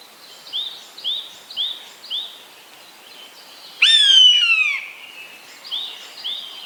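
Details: Common buzzard uttering one strong, plaintive mew that slides downward over about a second, set among regular short, soft notes from a smaller bird repeated roughly every half second before and after.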